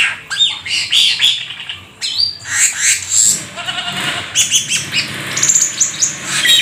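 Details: Rare exotic Black-winged starling in full mimicry song, 'gacor full isian': dense run of whistles, squeaks and harsh grating notes, broken by short pauses, with a long rough chattering passage in the middle.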